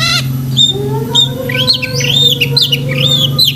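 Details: Long-tailed shrike singing a vigorous song packed with mimicked phrases, used for training pet shrikes; clear whistled notes near one pitch, some sliding upward and downward, repeated about every half second over a steady low hum.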